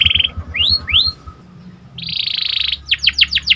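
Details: Panda canary song intended to build up excitement: buzzy burst, two rising slurred whistles, a long rattling buzz, then five quick downslurred notes, with soft low rumble behind.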